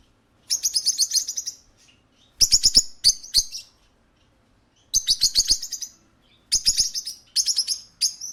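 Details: Parakeet kept at a pet shop calling in repeated bursts, each a quick stutter of six to eight high, rasping chirps, with brief silences between groups across the recording.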